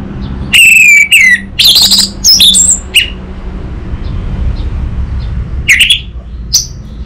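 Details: Orange-headed thrush song, loud varied whistled and squeaky phrases in a quick burst over the first three seconds, then scattered single high notes after a pause, with low background hum.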